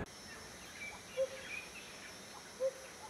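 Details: Black Butcherbird call, a tropical northern species, from Australia's Top End, Northern Territory: two short, low, fluty notes about a second and a half apart over a steady background hiss.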